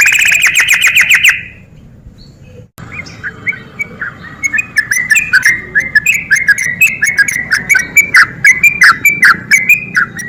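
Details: Sooty-headed bulbul song used as a lure to provoke lazy birds into singing: a burst of harsh rapid pulses, then a brief pause, then a lively run of short bubbly, warbling notes that rise and fall.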